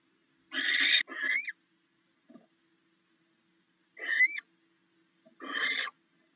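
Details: Barn owls at their nest sharing rats in the early morning hours. Short rasping screeches, some ending in a rising whistled inflection, with a soft click between them and a low hum.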